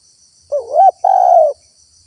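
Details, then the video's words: Luring call of a spotted dove to attract wild doves: a low wavering coo that bends upward, a brief gap, then a long level hoot, single clear phrase over soft hiss. "SUARA TEKUKUR GACOR PALING AMPUH UNTUK PIKAT BURUNG LIAR"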